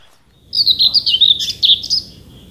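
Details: Common whitethroat singing in summer scrub and bushes in Denmark: a short scratchy, chattering phrase of rapid warbled notes lasting about one and a half seconds, busy and jerky, over a quiet background.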